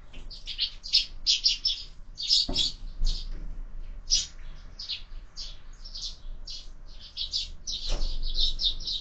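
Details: Sparrows chirp at a window-mounted feeder during morning feeding; short bright chirps repeat steadily from several birds, with a couple of soft knocks or thumps partway through.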